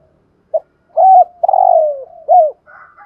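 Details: Spotted dove used as a decoy, 'giọng thổ' voice, delivers a single phrase of deep, soft coos: a short introductory note, a rounded coo, a long falling coo and a hooked ending. A faint higher sound follows.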